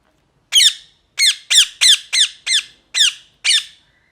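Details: Parrot calling indoors: a series of eight harsh, high chirping squawks, each short and falling in pitch, delivered roughly every half second in an uneven rhythm, with a silent background.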